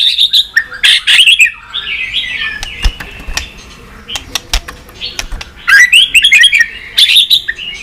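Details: White-rumped shama song for stimulating and training birds. Loud trilled whistle phrases come at the start, a slurred wavering whistle follows, then scattered sharp clicks, and a final burst of quick, bright warbling notes.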